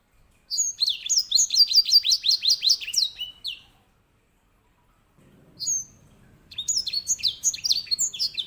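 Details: Edel sanger, or grey singing finch, singing a loud rolling song: a rapid run of sweet, descending chirps for three seconds, a pause, a lone note, then another fast warbling phrase.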